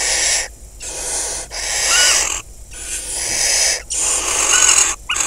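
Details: Barn owl pair at a nest box in crop fields of Kibbutz Snir, Hula Valley, northern Israel, 26 May 2020, with five surviving chicks; male brings a rodent, then mates. Harsh, breathy hissing screeches come in long bursts separated by short silences.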